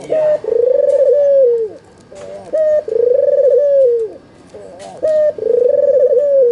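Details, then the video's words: Albino Barbary dove with red eyes, white plumage, used as a lure to make lazy doves call: short high note then long rolling, pulsed coo that slides down at the end, repeated about every two and a half seconds. "Pancingan AMPUH suara burung puter putih mata merah"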